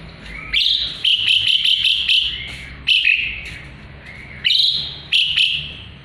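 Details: Asian pied starling (jalak suren) used as a tutor for murai batu: dense chattering phrases of sharp, rasping high notes, fast stuttered runs alternating with single harsh calls.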